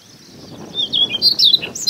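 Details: Siberian rubythroat (Calliope calliope) singing in Hokkaido coastal grassland in early summer (May–June): a rapid, varied run of high, scratchy whistled notes growing louder over two seconds, with a faint low hum beneath.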